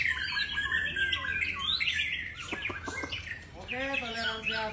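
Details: Champion white-rumped shama pouring out varied whistled song phrases, followed by a burst of sharp clicking notes and then a buzzy harmonic rasping sound toward the end.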